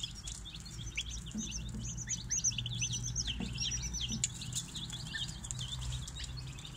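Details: Young chicks kept together in a brooder, two hatchery batches, peeping constantly in quick, thin, descending chirps, roughly three per second, overlapping from many birds above a steady low hum and a few soft clucking notes.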